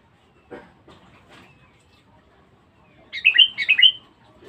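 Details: Sooty-headed bulbul, a lively, fierce, much-singing bird used as a lure: quiet scattered rustles, then a short bright burst of bubbly whistled notes near the end.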